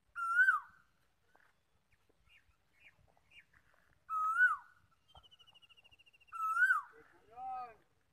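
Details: Koel calling at Galsi, D V C: three loud, clear whistled notes, each rising then dipping, about two seconds apart, with a brief thin trill from another bird between the last two and a lower harmonic call at the end.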